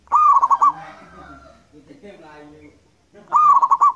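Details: Local wild zebra dove song for luring birds: two cooing phrases about three seconds apart, each a rising note then a fast series of pulsed coos, with faint murmuring sounds between them.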